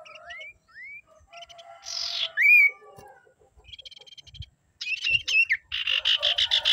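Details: Common iora; song; provoking rival ioras to call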